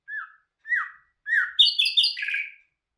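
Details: Nightingale, called bulbul hazar dastan, singing: a pair of clear downslurred whistles, then a bright run of higher, faster buzzy notes ending in a falling phrase, against a silent background.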